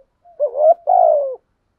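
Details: Single spotted dove coo from a decoy bird: a soft lead-in, a rising note, then a longer, slightly buzzy coo sliding downward.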